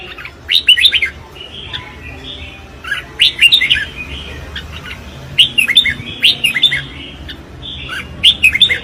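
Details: Red-whiskered bulbul in competitive song, giving cheerful, bouncy phrases of four to six quick whistled notes, repeated roughly every two to three seconds over a quiet background.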